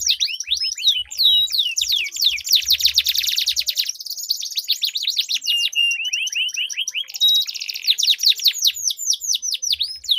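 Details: Dueling canaries give a long rolling song meant to prompt stalled canaries to sing, with dense rapid trills, buzzy rattling stretches and repeated downslurred notes continuing for ten seconds without a pause.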